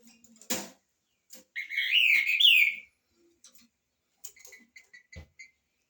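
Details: Rufous-bellied thrush, a "trinca-ferro de fibra" singing in the style called "igualando o rabo": a loud, rich warbled phrase of about one and a half seconds, followed by short chirps and clicks.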